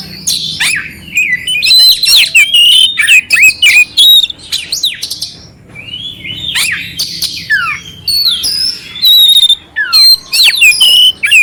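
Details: Oriental magpie-robin giving a clear song with harsh filler notes, meant to raise the mood of a cold, unresponsive bird. Varied whistles, steep slurs and grating chatters arrive in dense groups separated by short silences.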